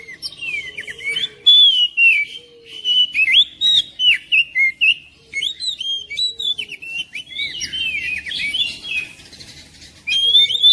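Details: Oriental magpie-robin kept at home, song aimed at rousing a reluctant bird to sing: loud varied whistles and rapid chirped phrases in a steady pulsing series, a brief pause, then a final burst.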